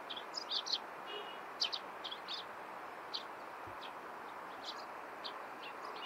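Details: Eurasian tree sparrows at morning, scattered thin high chirps, some doubled, spread irregularly across the recording above a broad steady wash of outdoor noise.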